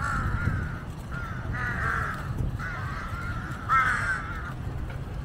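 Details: Drawn-out, hoarse cawing from a flock of jungle crows hovering around a monitor lizard feeding on a huge snakehead fish carcass. Several long calls run nearly back to back, the last one loudest, over low rumble.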